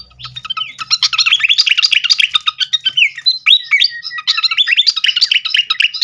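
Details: Srikatan flycatcher song played as a lure to set other birds singing; dense, rapid chattering twitters and short whistled notes, packed at about four per second, loud and continuous with brief pauses.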